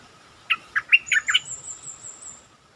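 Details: Stripe-throated bulbul lure song, a lively bird: one quick phrase of five bubbly, slurred notes with a rising and falling pitch. A steady thin tone runs underneath, and a high faint whistle trails after the phrase.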